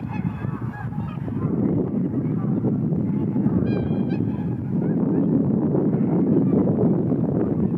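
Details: Cackling Geese lifting off together in a fast flock takeoff: a heavy low rumble of wingbeats with a few sharp honks and yelps breaking through, clearest near the middle.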